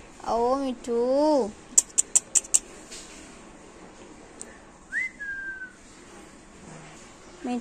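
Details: Female Alexandrine parakeet, a talking pet parrot mimicking speech, utters two arched voice-like phrases, then a run of sharp clicks, one brief whistled note, and a faint phrase at the end.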